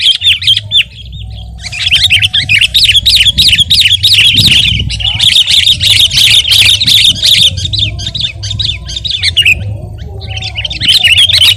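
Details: Sooty-headed bulbul singing actively, a recording meant for tutoring and luring other birds: long runs of rapid, wavering high chatter with brief pauses, over a steady low hum.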